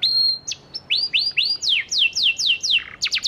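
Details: Energetic panda canary song meant to prompt quiet canaries to reply: a held high whistle, then a rising series of upswept notes, descending slurred syllables and a quick burst of sharp high chips.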